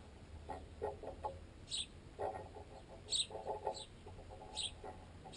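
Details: Wild sparrows, juveniles among them that already fly but are still fed by parents, feed on a baguette piece wedged in a tent guy line. Short high chirps come in scattered bursts over loud, rapid pecking knocks carried through the camera's tent pole.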